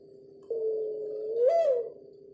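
A mourning dove gives one soft, hollow coo about a second and a half long, steady then briefly swelling upward before fading, over a faint constant hum.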